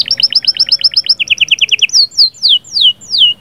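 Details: Singing canary whose trills are said to ready the female: rapid paired chirping notes repeated many times, shifting pitch, then slower downward-sliding whistles.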